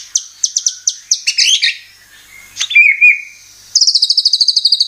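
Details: White-rumped shama lure song aimed at making caged birds sing: sharp repeated downslurred whistles, a lower buzzy trill, then a fast even rattle of high notes.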